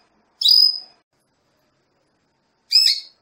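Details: Calls of a female Belgian canary used to get a male into breeding condition: a pair of brief, rasping, high chirps separated by about two seconds of quiet.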